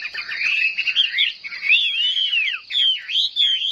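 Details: A captive Chinese hwamei kept for song contests pours out a loud, unbroken run of rich whistles, with rising and falling slurs and quick twittered phrases, high and ringing throughout.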